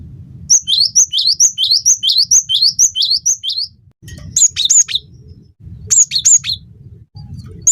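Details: Cinereous tit (gelatik batu) in a recording for training songbirds and drawing out their song: a long run of repeated high-then-lower two-note phrases, then shorter, sharper clusters of high notes with pauses, low hum behind.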